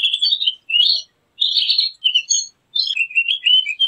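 Javan grey-throated white-eye singing quick, high, twittering warbled phrases, four bursts separated by brief pauses, with no other sounds.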